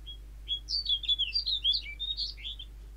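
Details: A snow bunting, from a recording taken off the internet, gives a brisk two-second phrase of sweet, high, warbled notes rising and falling in quick succession over a faint low hum.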